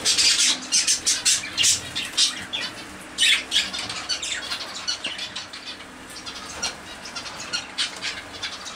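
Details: Zebra finches in warm weather: loud clusters of short, nasal, squeaky calls at first, thinning to softer, scattered notes repeated about three times a second, with some wing flapping.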